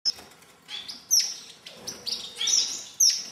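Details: Star finches at a birdhouse while eating, 2010: short, thin, very high chirps, four or five over three seconds, with soft fluttering wingbeats between them.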